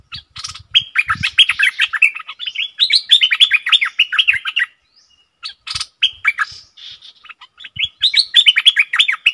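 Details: A caged stripe-throated bulbul, recorded 7 June 2021 for song training, pours out rapid, warbling runs of liquid notes for several seconds, pauses briefly, then resumes with faint low bumps beneath.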